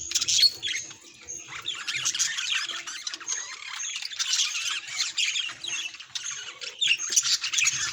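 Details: Budgerigar calls linked to the bird's feelings: steady, high chattering warble with rapid scratchy clicks and short whistled notes running throughout, moderately loud.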